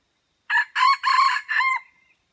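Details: An Aceh red junglefowl crows at Mata Ie. The crow is a harsh four-part phrase: a brief first note, then two drawn-out raspy segments, then a closing syllable that fades into a faint level whistle. Nothing else is heard.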